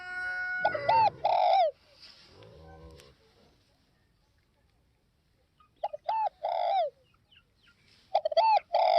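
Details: Spotted dove repeating its phrase three times: short stuttered notes, then a long mellow coo dropping in pitch. Brief rustling and a low murmur come between the first and second phrases.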